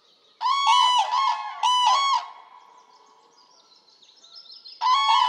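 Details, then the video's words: Common crane in Poland giving loud, rolling, trumpeting calls in three bursts, with a quiet pause between the second and third and a faint high hiss behind. "Common crane"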